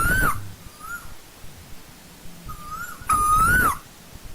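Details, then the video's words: Asian koel in old-growth forest giving two loud whistled calls that rise then fall, separated by softer, fainter answering notes, with a low hum in the background. "Tiếng chim TU HÚ"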